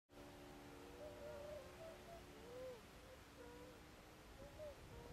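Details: In Saitama Prefecture, Japan, at a swan wintering site with about 20 tundra swans, several give soft, mellow, overlapping hooting calls at moderate pitch, some rising slightly, over a steady low rumble.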